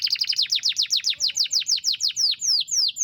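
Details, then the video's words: Canary song made of clear whistled notes that sweep steeply downward, delivered quickly at first and then slowing into a steady even series of descending slurs. "Kenari ngerol panjang mewah"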